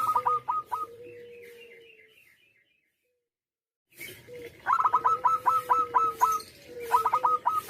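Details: Local zebra dove singing loudly. Short rapid series of crisp staccato coos come over a low, drawn-out sliding tone. A silent gap of about two seconds follows, then several more quick bursts of clipped notes.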